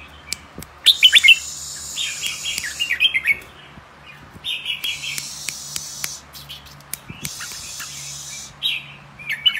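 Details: Young albino red-whiskered bulbuls kept in cages for breeding pairs give quick bursts of sharp chirps and warbled notes, separated by loud stretches of rushing hiss and clicks.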